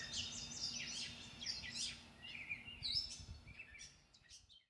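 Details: Birds singing in a backyard at 5:45am on Monday May 11th, captured with a shotgun microphone: dense high chirps and twittering bursts, whistled slurs, fading out at the end over a low background hum.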